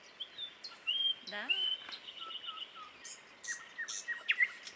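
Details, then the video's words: Common nightingales singing at Dubki: clear whistled notes, a sweeping descending series and scattered high chirps and trills between quiet pauses, with a person talking nearby. "Соловьи в Дубках"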